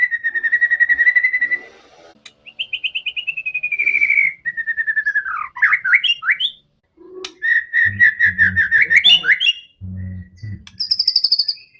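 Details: White-rumped shama singing fiercely to provoke other shamas: long runs of rapid fluting whistles, varied warbled phrases and a high thin trill, with a few low knocking sounds in the background.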